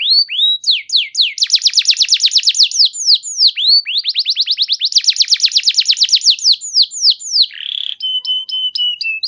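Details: Singing canary used to coax other canaries into song: clear upslurred whistles leading into long rapid trills, then falling swoops and a short buzzy note with a steady whistle at the end.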